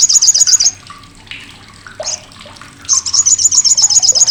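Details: Loud, coarse chattering of an olive-backed sunbird, kept as a tutor for contest songbirds: a short burst of fast, high, rattling notes, a lull with faint chirps, then the sharp chatter returns.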